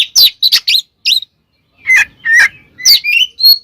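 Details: Oriental magpie-robin singing a 'tarung konslet' fighting song, used as a lure to provoke other magpie-robins into agitation; loud bursts of whistled and buzzy notes swooping between high and mid pitches, separated by short pauses.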